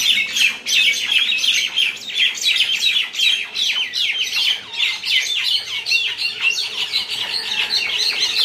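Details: Common mynas fighting at Talepur, Kalatia, Keraniganj, Dhaka, Bangladesh: a dense, continuous chatter of harsh squawks and sharp chirps, overlapping and rapidly repeated, loud throughout.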